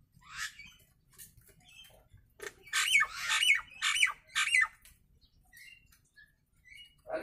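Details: Nias hill myna calling in its natural voice: scattered short chirps, then a loud cluster of harsh, grating squawks about half a second apart, ending with softer high notes.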